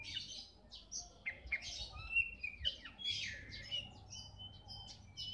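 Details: Oriental magpie-robin (kacer bagong) in lively song: rapid, varied phrases of clear whistles, slurred rising and falling notes and scratchy chatter, delivered in quick bursts with short pauses.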